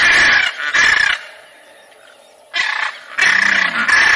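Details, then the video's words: Macaw giving loud, harsh, grating squawks in a short doubled burst, a quiet pause, then more raucous squawks in quick succession. "CANTO DA ARARA"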